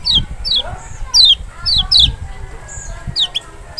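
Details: Lemon-bellied white-eye from Lombok or Sumbawa, Zosterops chloris maxi, calling to provoke a silent bird: quick high downward slurs in loose runs, with softer lower warbled notes and low thumps beneath.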